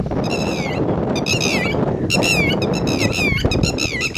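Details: Loud ringing calls of a red-wattled lapwing with chicks: bursts of piercing, falling notes, some drawn out and some clipped, repeating in fast runs against constant low-pitched background roar.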